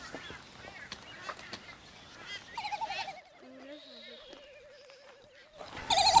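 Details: Great Frigatebird (Fregata minor ridgwayi) at Genovesa, Galápagos, Ecuador, May 2012, gives a long, quavering warble that wobbles steadily in pitch for about three seconds, after a burst of harsher, clattering calls and colony noise.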